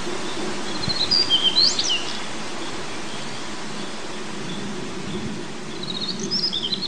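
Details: Daurian redstart, a male apparently nesting in a forest at 1300 m altitude, recorded 2 June 2019. Two brief bursts of high, scratchy twitters are separated by a long pause, over steady stream and wind noise.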